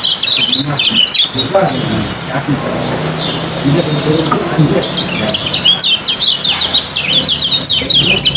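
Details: Competition lemon-bellied white-eye delivering quick ciak chirping, judged on speed and length of singing: a dense run of high, sharp zigzag notes, pausing midway then resuming rapidly, with people talking underneath.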